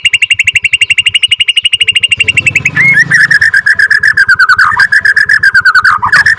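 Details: Long rolling trill (ngerol) from a Bornean white-rumped shama, F2 captive-bred, played to provoke other shamas into singing: an even, rapid roll for two seconds, then a brief rising whistle and a lower, wavering trill, with low pulsing thumps beneath.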